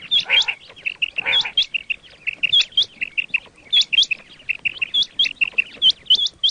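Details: Quail calls used as a hunting lure: rapid high chirps with sharp upward hooks, given in loose runs of two to four notes. Two rougher, buzzier bursts come near the start.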